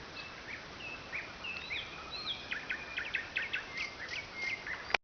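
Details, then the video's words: Nightingale by the Oka river whose singing keeps people awake; clear whistled notes and upslurs, then a series of sharp, rapidly repeated rising strokes, ending with a loud click. "Соловьиная песня на Оке"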